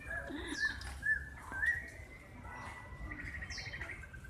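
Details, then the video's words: Two captive laughingthrushes, one da bò and one six-season bạc má, fight and peck while one gives clear, varied whistled phrases with short chirps and a quick rattling run over a low hum; the da bò rarely sings and aggressively jumps in to bite. "chim khướu hót đá, hót múa."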